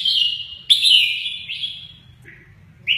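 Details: Red-whiskered bulbul in mơ ché nẹt song style, flicking its wings; a loud sharp whistled phrase gliding slowly downward, followed by a softer lower note and another sharp start at the end.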